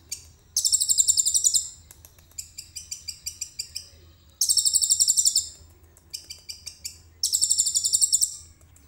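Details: Common iora in a cage, in full song with learned cililin phrases, recorded by phone: long high rapid buzzy trills of about a second each, separated by quieter choppy clicking note runs, repeated three times.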